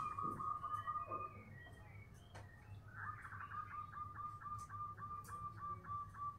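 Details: Local zebra dove of the 'bedah karang' type, a very loud cooing song said to carry several kilometres; a clear tonal note at first, then a steady run of short, even coos about twice a second, with low background hum.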